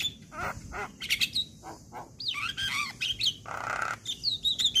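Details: Male Javan myna singing, a recording used to spur quiet or moulting birds into song: choppy mix of clicks, rasping bursts and twisting whistled notes, with one longer grating buzz near the end.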